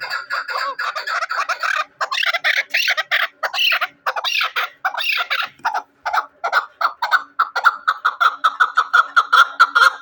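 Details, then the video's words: Chukar partridge used for hunting: loud, rasping, broken chatter with short pauses, then a rapid, evenly spaced string of short chuck notes quickening toward the end. "Кабки шикорӣ"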